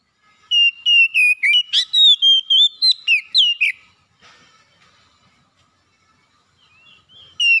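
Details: Oriental magpie-robin, a house bird, whistling a fast string of clear steady notes for three seconds, then near silence with faint scratchy sounds before one more whistle starts.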